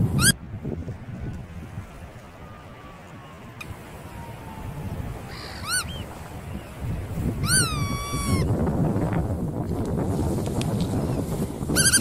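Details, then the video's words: Bar-tailed godwit (Limosa lapponica) giving scattered nasal, slurred calls, with a quick cluster of several near the end, over a steady low rumble of wind or surf. "斑尾鷸/Bar-tailed Godwit"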